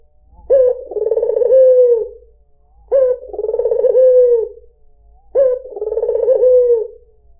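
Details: White dove singing to lure other birds: three evenly spaced cooing phrases, each a sharp short note followed by a long pulsing trill that drops at the close, with clean quiet between.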